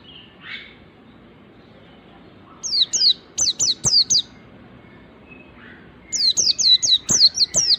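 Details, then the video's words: Song of an Oriental white-eye, of the wild style meant to draw in other white-eyes: after a soft opening note, two bursts of quick, high, downward-slurred whistles, five to seven notes each. "pleci ngalas ini paling ampuh buat pancingan segala jenis pleci"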